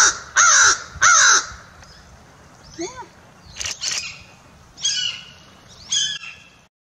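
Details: A talkative captive American Crow, an educational bird ambassador, gives two loud, harsh caws, then a run of softer, varied croaks, clicks and gurgling notes in a chatty string.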